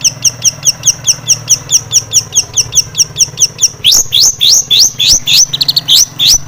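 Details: Long-tailed shrike in lively full-fill singing, used as a lure to provoke other shrikes into agitated song: sharp high chips repeated steadily about every half second, then louder rising whistled notes in a faster run, low hum underneath.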